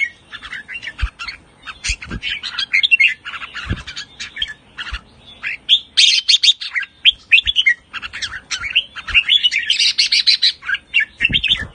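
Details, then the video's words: Caged red-whiskered bulbul, Pa La-u line, singing with doubled phrases and riik calls; long rapid stream of bubbling, chattering notes, growing louder and denser toward the end, with faint knocks underneath. "นกกรงหัวจุกสายป่าละอู ทั้งร้อง ทั้งริก นกร้องเบิ้ลๆ ริกๆ"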